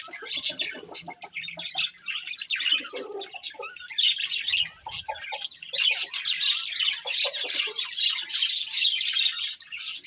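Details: Several pet budgerigars keep up a long, rapid chatter of buzzy chirps, squeaks and warbled twitters, irregular and overlapping, growing denser and louder in the second half.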